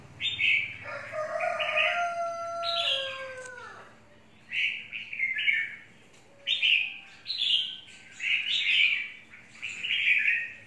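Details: Untrained wild-type red-whiskered bulbul singing bright warbled phrases, with steady, lower, pure whistled tones underneath early on, then five separate chirpy bursts spaced about a second apart.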